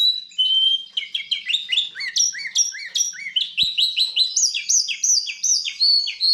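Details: Song of a goldfinch x canary hybrid: a thin whistle opens, then quick series of repeated downslurred chirps climb in pitch, with one sharp click midway.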